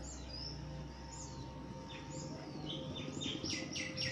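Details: Backyard birds bathing in Pilicode village, Kerala, India, recorded on a phone: thin falling whistles, then a run of quick sharp chirps toward the end, over low background hum.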